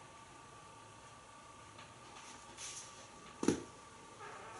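Quiet indoor room with a faint steady hum, soft rustling and one sharp knock, with no animal calls heard.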